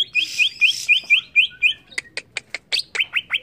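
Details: Greater green leafbird in an agitated bout: a run of rising whistled notes repeated rhythmically over hissy texture, then sharp clicks and slurred downward chirps.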